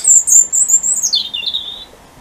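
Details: Before dawn on the shortest day of the year, 21 December, a robin sings near a house light or street light; a thin very high drawn-out whistle slides downward into a lower twittering warble.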